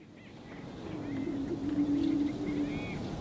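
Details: Male greater prairie chickens on a lek performing their spring mating display in March or April: a low, steady moaning boom swells in and holds for about two seconds. Faint higher bird calls and rustling noise sit in the background.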